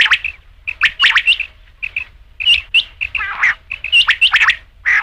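Rain quail giving rapid, sharp, squeaky notes in uneven bursts with short pauses between them. The notes are high and metallic, and little else is heard.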